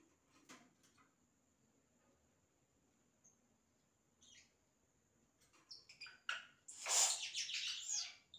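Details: Yellow-rumped cacique song made of imitations: a mostly quiet opening with scattered faint high notes, then a loud final stretch of rapid, harsh, crackling bursts mixed with short high whistles, over a constant thin high tone.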